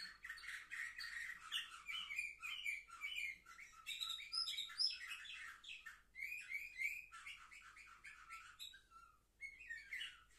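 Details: Canaries aged seven months, filmed 10 November 2023, sing an extended varied song of quick trills, sharp chirps and warbled runs, broken by several brief pauses indoors.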